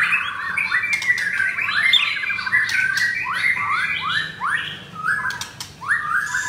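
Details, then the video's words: Varied song of a white-rumped shama: loud rising whistles and quick slurred phrases, repeated again and again with short pauses, mixed with a few sharp clicks. "Murai Batu Pastol Blorok Extreme Double Ring Apbn Bnr Gacor"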